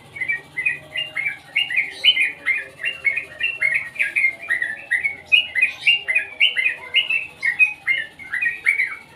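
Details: Sooty-headed bulbul singing a lively run of short chirpy notes that flick up and down, about three to four per second, steady for nine seconds with little else heard.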